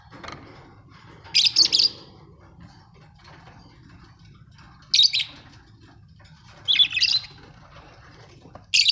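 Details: Chirping budgerigars: rapid bursts of two or three harsh, bright chirps repeating every few seconds, with faint twittering and a low hum underneath.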